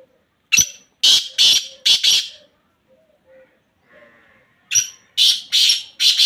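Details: Black francolin calling: loud, harsh, grating bursts in a quick phrase of about four notes, a pause with faint soft sounds, then the rasping phrase again.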